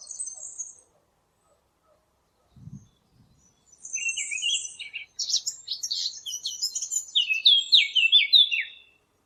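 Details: Eurasian blackcap song for hunting callers: a short high twitter, a pause with a faint thump, then quiet rising notes building into a busy warble ending in a series of loud descending fluted whistles.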